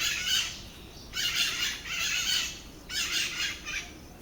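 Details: Pair of white-eyed parakeets (Psittacara leucophthalmus) making a noisy racket in Atlantic Forest at Lagoa da Conceição, Santa Catarina Island: three bursts of rough, grating chatter, each lasting about a second, over steady background hiss.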